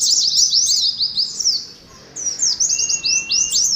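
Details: High, hurried twittering from a caged Oriental white-eye in ngalas competition style, a short pause near two seconds, then more slurred chirps over a long, steady thin whistle.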